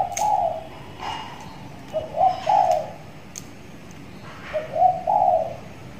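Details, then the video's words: Spotted dove in training, six months old, tied in a hanging cage and beginning to call frequently: low coo phrases repeated about every two seconds, each ending in a longer rolling note, with occasional clicks. "tekukur di sangkar layang || ajaran sudah mulai gacor"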